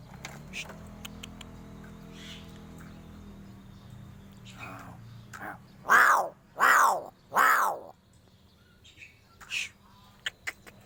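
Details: Three harsh, hoarse caws in quick succession from a crow, roughly evenly spaced, after a quiet stretch with faint low hum and scattered clicks.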